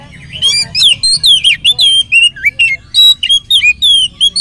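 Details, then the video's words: Oriental magpie-robin in full song, used as a lure to set other magpie-robins singing, with rich varied material: a fast, nonstop run of loud whistled notes, slurs and sharp chirps, some rising and some falling, over a faint low hum. "kacer gacor materi mewah pancingan kacer ikut gacor bongkar materi"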